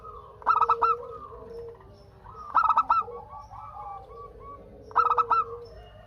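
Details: Local zebra dove singing to draw replies from other doves: three loud bursts of rapid, clipped coo notes roughly every two seconds, with a murmur of softer, lower cooing between them.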